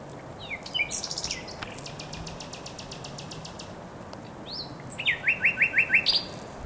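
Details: Spring song of a thrush nightingale at the Żerań Canal, 24 April 2022. Slurred whistles lead into a long, even train of dry rattling clicks, then a loud rapid run of repeated chock notes near the end.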